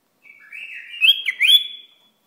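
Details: Iraqi bulbul delivering a single phrase: a soft level whistle that swells into bright rising and falling slurred notes, ending on a sustained high tone, no other sounds.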